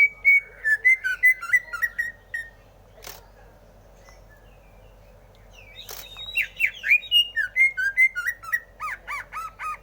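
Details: Greater green leafbird singing in bursts of sweet whistled and chattering notes, pausing silently for several seconds with two sharp clicks, then resuming with quick varied phrases ending in repeated paired notes.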